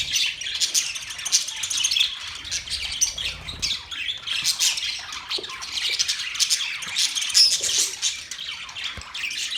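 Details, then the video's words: Budgies chirping in a continuous high, rasping warble with quick repeated squeaks and an occasional clearer whistled note. "Budgies chirping sound"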